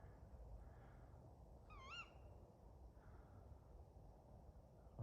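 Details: Tawny owl calling at night from a tree beside a UK biker campsite: one short, tremulous, wavering hoot, distant and faint over steady low background noise.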